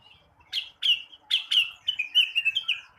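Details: Blue-winged leafbird singing in the morning, used to stimulate untrained birds: loud slurred whistled notes, first separate downslurred chirps, then a fast run of warbled phrases descending slightly in pitch.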